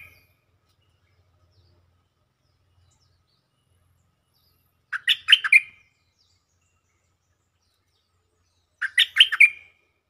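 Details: A stripe-throated bulbul sings for luring: two identical brisk phrases about four seconds apart, each a tight cluster of clear chirped notes finishing on a slurred tail. Quiet pauses separate them, with a faint low rumble early on.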